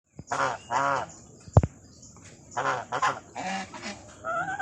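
Black swans give several nasal, honking calls in quick bursts, each about a third of a second long, with a sharp knock near the middle.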